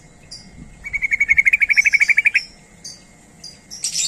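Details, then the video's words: Sooty-headed bulbul calling to lure others of its kind: a rapid string of bright, staccato notes lasting about one and a half seconds, followed by scattered high squeaky chirps near the end. "Suara Panggilan Trucuk Gacor ini||Pancingan&MasteranTrucuk"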